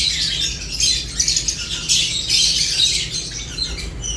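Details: Lovebirds at their food, calling in rapid overlapping bursts of scratchy high-pitched chirps, a few louder squawks standing out, over a faint constant low hum.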